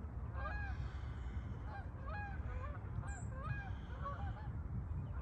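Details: Geese heading south in flight: a chorus of short, honking calls rising and falling, many birds overlapping, recurring every second or so over constant low-pitched wind noise.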